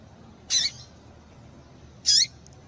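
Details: Double-collared seedeater recording mixing pure 'tui tui' style song with female calls meant to stimulate males. Two short, sharp, high calls about one and a half seconds apart, each ending in a lower down-slurred tail, over a quiet background.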